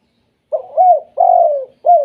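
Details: Spotted dove coo sequence of the 'kuk 2' type that gets other doves calling. A short note and a smooth longer coo are followed by a long falling coo and the start of another, all soft and hooting.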